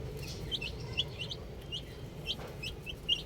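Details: Young chicks playing with a ball chirp in brief high peeps, several per second from more than one bird, over a steady low hum.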